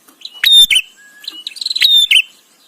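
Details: Bar-winged prinia recorded as tutor material for white-rumped shama: two loud, sharp chirps, then a faint thin whistle and a fast stuttering run of high notes ending in a bright upslurred whistle and a harsh chirp.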